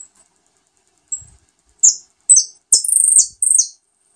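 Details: Adult saffron finch feeding fresh chicks, giving loud, very high buzzy squeaks that grow denser: a thin opening note, then several harsh descending chirps and a sustained rasping trill in rapid succession.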